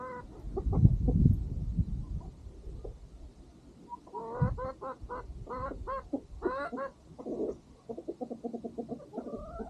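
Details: Farm chickens and rooster calling at sunset as the farm dog eats: after a few seconds of low rumbling noise, loud harsh squawking clucks tumble out in rapid uneven series, some notes rising and drawn out.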